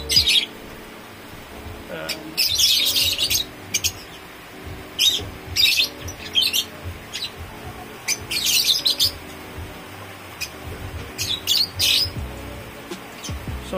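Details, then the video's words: A caged opaline African lovebird, which keeps trying to mate but rejects its partner, gives harsh, high-pitched screeching chirps in short bursts, several within a few seconds, over a low steady hum. "AFRICAN LOVE BIRD KO SA CAGE LAGI NAKIKIPAG MATE AYAW SA PARTNER"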